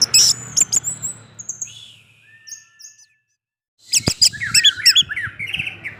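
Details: Orange-headed thrush lure song of the 'gacor teler' style, played to prompt other thrushes to sing: bright chirps and short whistles, a near-silent pause of about a second, then a burst of varied warbled notes.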